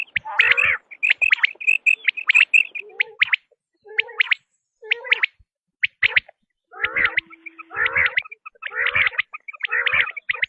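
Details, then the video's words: Quail calls, described as a tested sound, given as short sharp high notes in quick clusters over about ten seconds, mixed with lower harsh chattering bursts and brief silent pauses. "بٹیر کی آزمائی ہوئی آواز ۔ | Quail Tested Sound | Batair ki Awaz"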